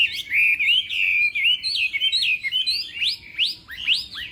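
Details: Chinese hwamei practicing its morning contest song: flowing warbled whistles, then loud upward-sweeping notes repeated about once a second toward the end.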